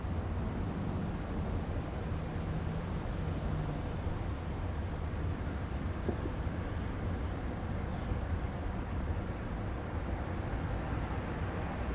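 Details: Only steady low rumbling engine or wind noise is heard, with no animal calls.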